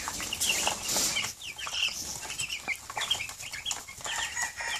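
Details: Hungry two-week-old Cornish Cross chicks rushing their keeper in the morning: scattered high peeps from several chicks mixed with rustling, flapping and clattering movement noise.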